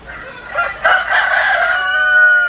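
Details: Rooster crowing: a rough, broad opening that steadies into a long, drawn-out tone held to the end.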